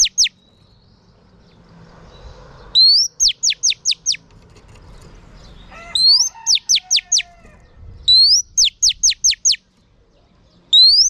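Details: Female oriental magpie-robin song used to stir up male birds: bursts of loud, steeply falling whistled notes in quick runs of five or six, some opened by a rising whistle, separated by short silences with faint low rumble.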